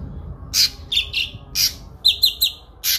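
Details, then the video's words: Kinoi bird, whose clear-voiced song serves as a model for training songbirds, giving short harsh, squawky bursts mixed with a few quick whistled notes, about five phrases in three seconds. "TEMBAKAN PANJANG, SUARA JERNIH BURUNG KINOI"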